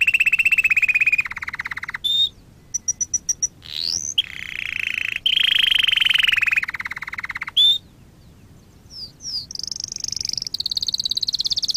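A canary sings fast rolling trills and buzzy rattles, broken by clear high whistled notes and short chip series, in a loud, continuous flow.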